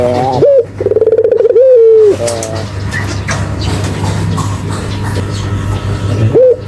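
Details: Barbary dove giving a single low, rolling coo that glides slightly down, followed by a noisy stretch with a short rising note at the end.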